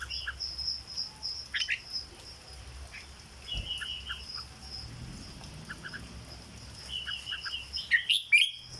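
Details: Caged red-whiskered bulbul singing in the 'dok' song style: scattered short whistled notes, then a loud burst of quick liquid warbled phrases near the end, over a steady high insect-like whine and low hum.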